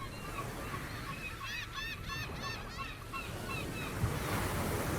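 Gulls give a run of rapid, nasal, yelping calls over a steady roar of surf and wind.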